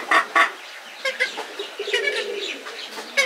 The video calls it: Purple Swamp Hen | they're quarreling